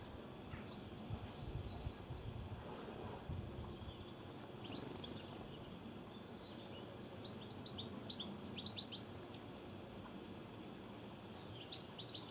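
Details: European goldfinch giving quick, high, tinkling twitters in short bursts over a low background rumble, recorded in Cornwall.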